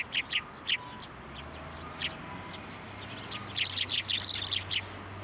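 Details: Several sparrows flying onto a hand to be fed at a Tenmangū shrine on 15 January 2024; short, sharp high chirps in two bursts, a few at the start and a rapid cluster near the end, over a low steady hum.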